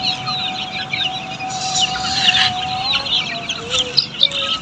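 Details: Australorp chicks on a poultry farm, a dense chorus of high, short peeps and chirps overlapping continuously, with a steady low tone running beneath.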